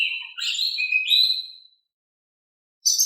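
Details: An Oriental magpie-robin sings steadily in a gentle voice, meant to coax quiet birds into replying. A rich run of sweet whistles and slurred notes lasts under two seconds. After a silence, a thin, high note cuts in.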